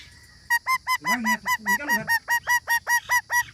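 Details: Parrot repeating one nasal, hooked honk-like note steadily, about two per second, with a lower gurgling sound underneath in the middle.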